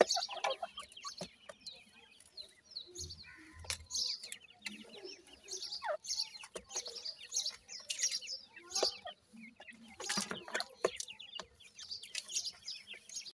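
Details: Francolin chicks (irani teetar) peeping in a busy chorus of thin, high chirps and short downslurred notes, with scattered clicks, a brief low rumble and a few fluttering sounds.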